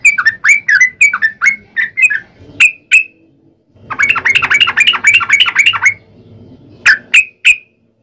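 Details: Yellow-vented bulbul (trucukan) in long 'ropel' song meant as a lure for other bulbuls; slower liquid phrases, a pause, then a fast bubbling two-second burst, ending with a few sharp isolated chirps.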